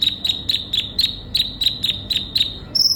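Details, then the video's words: Ninja sunbird giving a steady string of sharp high chips, about three per second, each a quick downward flick, ending with a thin higher buzzy note. "Terapi burung kolibri ninja gacor utk memancing konin bahan cepat bunyi"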